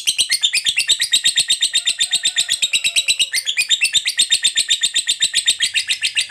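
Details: Fighter lovebird in long 'ngekek panjang' chattering, a lure sound meant to trigger other lovebirds: very fast, dense stream of shrill buzzy notes, around four per second, with one brief break before resuming.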